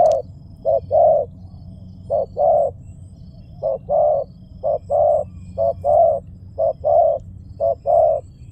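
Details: Spotted dove calling in a brisk series of paired coos, each a brief note then a fuller longer one, phrases coming close together, over steady low hum.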